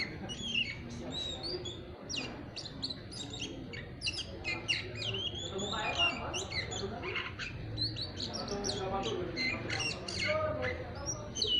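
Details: A white-rumped shama, still a young bird in its chattering ngeriwik stage, singing; busy, noisy run of short chirps, whistles and sharp squeaky notes with rapid frequency sweeps, continuous and overlapping throughout.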